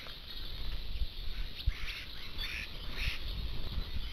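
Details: Common starlings in a flock of about seventy visiting a garden feeding station, others perched in nearby trees; a few harsh squawks and short whistled notes rise over steady low background rumble.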